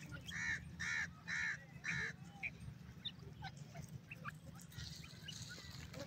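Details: Francolin giving a series of four loud, harsh notes, evenly repeated about twice a second, then softer scattered chirps over a constant low hum and background noise.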